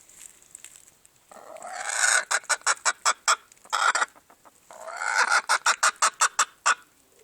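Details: A silver Appenzeller hen gives two bursts of loud, harsh cackling: a long squawk breaking into a rapid run of sharp clucks, about four per second.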